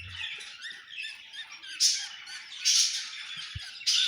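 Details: Budgerigars squawking and twittering around egg hatching, a dense harsh chatter with three louder shrill surges and a single low tap near the end.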